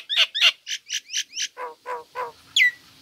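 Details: Female Nias hill myna in full song gives a rapid run of loud, harsh chattering notes, about three a second, dropping lower midway, then ends with a sharp descending whistle.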